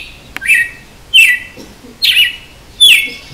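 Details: Açoite-style song of a red-cowled cardinal: four strong, ringing whistles, each beginning high and swooping down, repeated about every eight-tenths of a second, with a faint click near the start.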